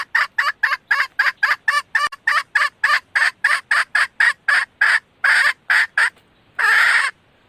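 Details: A female red junglefowl used as a lure to call in males gives a fast series of loud, clipped clucks, around twenty in six seconds, followed after a pause by one longer, harsher note.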